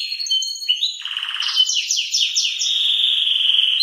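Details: Belgian salsa canary singing early in the morning: continuous high song moving from rapid trills and a lower buzzy roll into quick sliding notes and a long, steady whistled tone.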